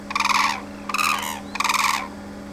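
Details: Loud calling from a hooded crane family of three, including a young bird, at Izumi's crane observation centre, Japan, December 2024: three grating, pulsed trumpet calls in quick succession with a constant low hum beneath.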